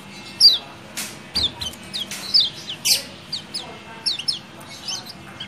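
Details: Kecial kuning (yellow-vented bulbul), "ciak ciak" calls used as a lure to get a quiet caged bird singing and for night-time song training: sharp, high chirps and downward-sliding notes in irregular bursts, with brief clicks.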